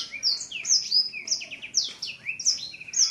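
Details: Seven-month-old male blacksang, a caged bird whose voice has not yet matured, opening its wings on seeing a female; bright high whistled and chirping notes with quick downward slurs, delivered in rapid bursts.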